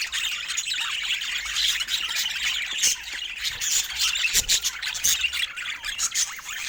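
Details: Pet budgerigars chirping; a dense, continuous chatter of many overlapping warbles, squeaks and chirps from several birds, with no pauses.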